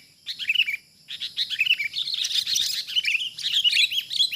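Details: Wild sooty-headed bulbul being lured for trapping, giving a lively stream of short, high chirping notes that start after a brief pause and then run almost without a break, with several overlapping phrases.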